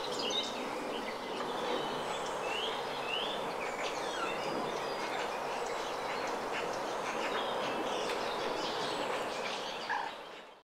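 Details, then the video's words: Western jackdaws (Corvus monedula) in a natural area of Vannes, Morbihan, on 27 April 2023 in spring trade short, sharp 'tchak' calls, many overlapping in quick succession over a steady hiss of rain. "CHOUCAS des Tours/Corvus monedula/Printemps ! BRUITX"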